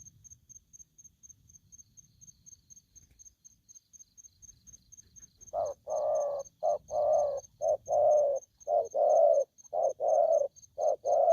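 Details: A young, newly caught spotted dove calls aggressively. After five quiet seconds it breaks into loud, hoarse coos, short notes alternating with longer drawn ones in a steady rhythm, with a thin high beep pulsing throughout.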